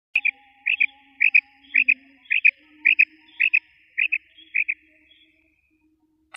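A female quail gives sharp, high double notes, about ten quick pairs spaced half a second apart, in an otherwise quiet setting.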